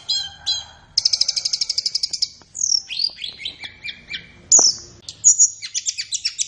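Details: Flowerpecker (tledekan) song used as masteran training audio for captive songbirds: high thin notes, a fast even trill of ticks, then sliding whistles and buzzy descending chirps, all high-pitched, with a quiet low hum beneath.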